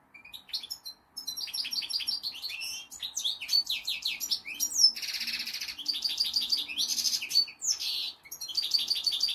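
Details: Pair of caged European goldfinches, one six years old, singing almost continuously indoors: rapid tinkling twitters, chattering runs and harsh buzzy notes mixed with clear high whistles.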